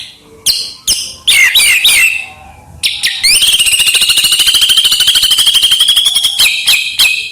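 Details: White-rumped shama in lively full-fill song meant to rile rival birds: a few sharp whistled notes, then a long fast, even trill lasting about three seconds, ending with more clipped notes.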